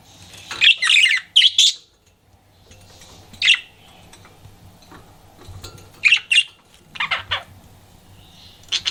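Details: Flirting pet budgie: a burst of loud harsh chirps, a near-silent gap, then scattered chirps and quick double and triple notes, with a faint hum behind.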